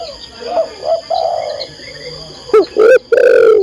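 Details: Female spotted dove calling to a male: soft, quiet cooing at first, then three loud, harsh coos close together near the end, the last one drawn out.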